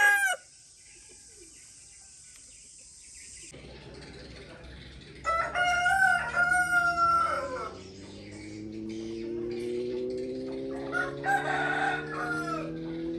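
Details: Harsh rooster crow with strong harmonics in the middle, preceded by a steady electronic hiss and followed by rising low engine-like tones and a fainter second crow.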